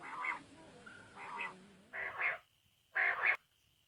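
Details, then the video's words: Common quail calling outside a cage, giving short, clipped, liquid notes in quick double bursts about once per second, growing louder, over a faint steady hiss. "Common Quail Calling without cage"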